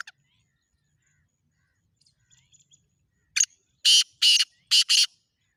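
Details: Black francolin giving its harsh call after a quiet pause with a few faint ticks: one short rasping note, then four loud, grating bursts grouped in pairs, closely spaced.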